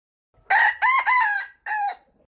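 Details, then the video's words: Crow of a wild red junglefowl: strident, buzzy syllables, a brief opener, a sustained bending middle phrase, a pause, then a shorter final call, with nothing else audible. "Suab qaib qus qua zoo"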